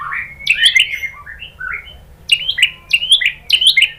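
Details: Shama song used as a lure to provoke a reply: bright, rich whistled phrases that swoop up and down, a pause, then four quick repeated two-part whistled figures.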